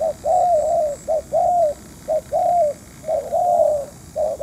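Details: A spotted dove, a decoy used for trapping wild doves, gives soft, hollow coos in short and drawn-out pairs, repeated steadily about once a second, over a faint background hiss.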